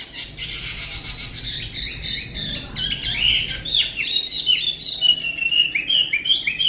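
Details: Chinese hwamei, tame and kept in Vietnam for its beautiful voice, moves from buzzy, blurred notes into bright rapid whistles that tumble downward in a lively, uneven series.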